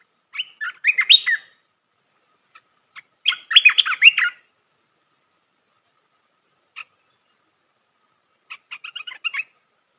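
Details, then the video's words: Red-whiskered bulbul song used for training young birds: two bursts of quick, warbling, liquid notes about three seconds apart, with a few isolated chirps and a short run of rapid notes near the end. "เสียงนกกรงตาแดงEp.168 เสียงหัดนกลูกเสอ เพลงเพราะ น่าฟัง"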